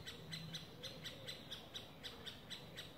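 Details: Middle spotted woodpecker chick fallen from the nest, trying to climb a nearby tree, Parc de la Poudrerie, France, 22 May 2019: short, high, sharp calls about four a second in a steady series over low rumble.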